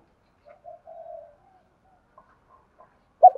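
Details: Spotted dove cooing, used as a lure to train decoy birds: soft, low, mellow coo notes in a short phrase, a slightly drawn-out note in the middle, then a sudden louder low note at the end; otherwise quiet.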